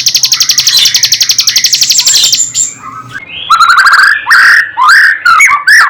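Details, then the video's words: White-rumped shama song, used as a tutor recording for caged birds. It opens with a fast buzzy rattle for about two seconds, then a short pause, then loud clear whistled slurs that sweep up and down. "Suara,murai batu ,Untuk isian,naikkan Emosi"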